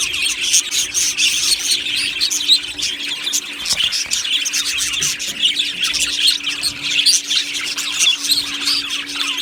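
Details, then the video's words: Aviary colony of budgies, 1 July 2025: many birds chatter at once in a busy stream of high twittering chirps and warbles, no pauses, over a faint constant low hum. "beautiful Budgie birds chirping sounds"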